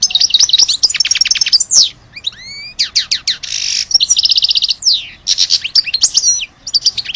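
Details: European goldfinch from Algeria in full song: rapid trills, a few rising whistled slurs, a harsh buzzy note and descending sweeps, delivered almost without pause.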